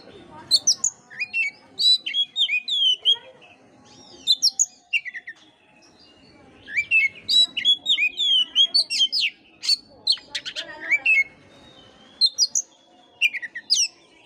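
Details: Long, rich Oriental magpie-robin song, used as a bait recording for unenthusiastic magpie-robins: varied whistled phrases, trills and sharp high chirps in bursts, separated by brief pauses.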